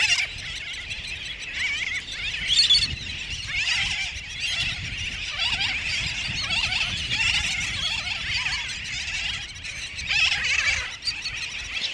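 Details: Many sooty terns calling together at Johnston Atoll, June 19, 2001. Overlapping squealing, nasal cries form an unbroken din, with a few louder bursts standing out above the steady mass of calls.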